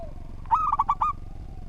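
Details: Local Indonesian zebra dove singing eagerly, a recording meant as master song for training other birds: a single rapid burst of five soft, mellow coos, the first slightly drawn out, over low background noise.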